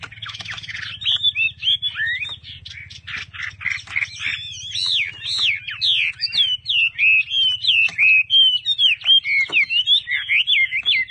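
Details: Caged Chinese hwamei pouring out a loud, varied song of rich slurred whistles that rise and fall rapidly, phrases tumbling one after another, with a low steady hum underneath.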